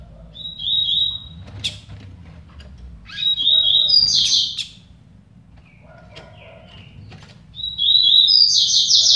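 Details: Competing songs of two double-collared seedeaters: short high whistled notes lead into rapid buzzy trills, repeated in separate phrases about every three to four seconds, with sharp clicks and a rustling, flapping sound between.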